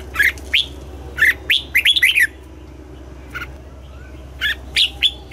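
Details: Red-whiskered bulbul singing in the morning, used to train the bird's voice in the old-forest double-note style: short warbled phrases of two to four bright notes, separated by pauses, with a steady low hum underneath.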